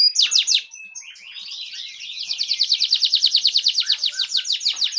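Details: A fan-tailed canary sings, meant to prompt other canaries to sing: a few sharp descending notes, a soft warbling passage, then a long steady trill of rapid repeated high notes.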